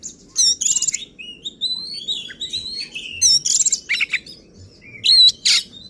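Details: An agitated oriental magpie-robin sings to provoke other magpie-robins: loud piercing high whistles, buzzy raspy bursts and sliding notes separated by short gaps.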